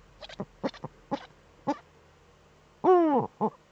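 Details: Nest-camera recording of a female Eurasian eagle-owl scratching in her breeding niche, northern Rhineland-Pfalz, Germany, 5 May 2013: several short soft clucking notes, then a louder drawn-out descending wavering call and one final short note.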